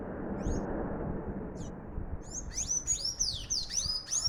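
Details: Sayaca tanager in full song: a few isolated high thin notes, then a dense burst of squeaky, sliding whistled phrases in rapid succession over a constant low-pitched background hum.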